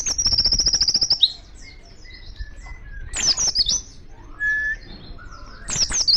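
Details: Wild Oriental white-eye calling to others of its kind: a rapid high trill of evenly spaced notes, then softer distant whistles and a few lower calls, followed by bursts of jumbled high twittering.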